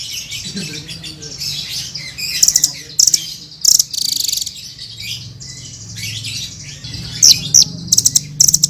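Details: Hanging parrot (srindit) in lively song for training other cage birds: scattered very high sharp trilled bursts and thin squeaky chatter over a steady low murmur of background noise.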